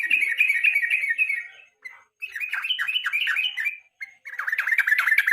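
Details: Evening chatter of a yellow-vented bulbul, a master recording for songbird contests: fast bubbly warbling runs of descending chirps, broken by two brief pauses.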